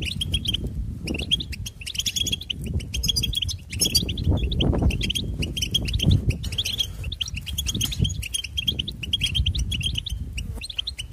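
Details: Steady, cheerful goldfinch twittering, chains of rapid high notes and buzzy trills running nearly without break, with persistent low rumble.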